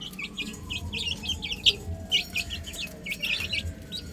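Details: Baby chickens on a roof chirp rapidly, many high-pitched peeps tumbling over one another in an almost continuous stream, a low rumbling hum and a faint sliding tone in the background.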